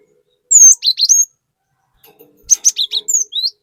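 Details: Lively cinereous tit used to provoke other birds. A loud three-note whistled phrase is followed, after a short gap, by a longer string of quick rising and falling whistles ending on an upslurred note.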